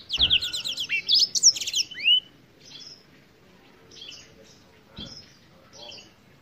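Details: Singing Black-throated canary, a bird native to Africa: a rapid trill of high repeated notes ending in a long rising whistle, followed by quieter scattered chirps and a brief knock.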